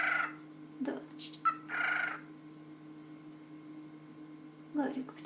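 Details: A male pet cockatiel says "ptichka" (birdie) and makes a sneeze-like "apchkhi" in short, scratchy talking phrases while a person speaks softly to calm its loud calling. A budgerigar is also in the room, and a steady electrical hum runs underneath.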